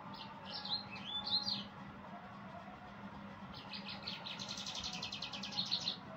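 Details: Yellow-fronted canary singing in two bursts, first a few thin whistled phrases, then after a pause a long rapid trill of high repeated notes, with a faint constant hum behind.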